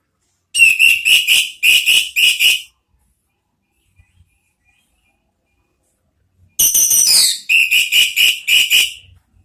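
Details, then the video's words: Orange-headed thrush (anis merah) in a trigger recording for provoking loud calls: two bursts of sharp, high, repeated whistled notes, about five or six per burst, separated by four seconds of silence. "Siulan ANIS MERAH ampuh memancing BUNYI NGEPLONG ¦TERAPI PANCINGAN ¦ KICAUAN NGERIWIK"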